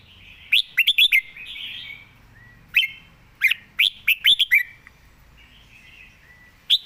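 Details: Red-whiskered bulbul singing calmly while perched, noted for good phrasing and rapid delivery: quick clusters of sharp, bright chirps with brief warbled slurs between groups and a soft low background hum.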